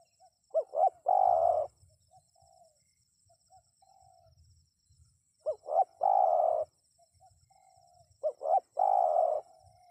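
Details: Spotted dove calling, used to get wild birds to answer: three phrases of two quick rising-falling notes and a drawn-out, rough mid-pitched coo, spaced about three and a half seconds apart, with soft low rumbles between.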